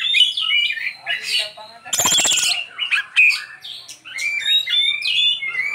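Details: Kacer, the Oriental magpie-robin, singing a rich 'isian' song of quick varied whistles and slurred notes, with one harsh buzzy rasp near the second second, then tumbling chirps.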